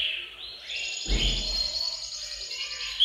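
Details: Canaries in a bird room singing together to stimulate males: a steady high rapid trill runs throughout, with a low rumbling thump midway and a bright whistle at the close.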